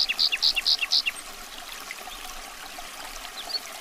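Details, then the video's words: Common nightingale belting out five loud, rich repeated notes at an even pace, each followed by a lower click. Quieter background follows. "Nightingale's Enchanting Song"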